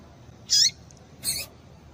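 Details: Female Double-collared Seedeater call that stimulates males: two quick, high, slurred notes about three-quarters of a second apart. The second is harsher and buzzier, over soft hiss.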